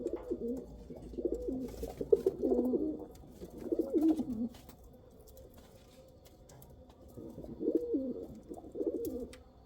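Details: Domestic pigeons of the Kal Cheeni and Rampuri breeds cooing in quick, warbling, overlapping phrases for the first half, a quieter pause, then two more rolling coo bursts near the end.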